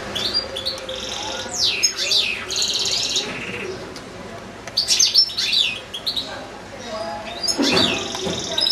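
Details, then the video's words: Caged goldfinches with goldfinch-canary hybrids, one goldfinch in a long singing spell: bursts of bright twittering and swooping whistles separated by brief lulls, ending with a low rough note. "ΚΕΛΑΗΔΉΜΑΤΑ ΑΠΌ καρδερίνες"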